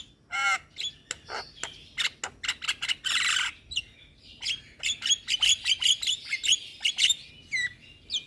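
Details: Javan myna singing while nodding, used to entice and train moulting mynas: loud harsh squawks and a hissing burst, then rapid chipping notes about one to two per second with whistled slurs.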